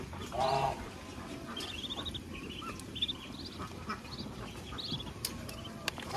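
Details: Mother duck out feeding with her young on a rural farm gives a single strong quack near the start, followed by thin, high duckling peeps and sharp clicks over low background noise.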